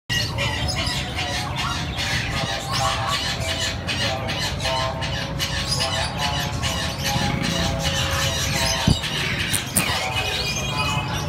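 A Moluccan cockatoo gives harsh, grating squawks and squeals in a dense, continuous run over steady background noise, with faint tonal sounds that may be music.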